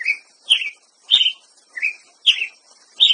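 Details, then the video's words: Six loud, short chirps from a ruby-crowned tanager, lower and higher notes alternating about every half second, with a single sharp click and a light hiss behind. "Canto do pássaro Tiê preto"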